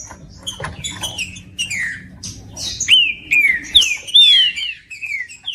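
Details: Song of a green-winged saltator for warming up a cold bird: soft chirping at first, then from about the third second several loud, clear whistles that rise and sweep downward.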